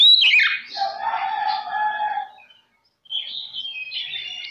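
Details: Caged oriental magpie-robin singing as a lure for other magpie-robins: a harsh descending churr and scratchy chattering notes, a brief silence, then thin high whistled trills.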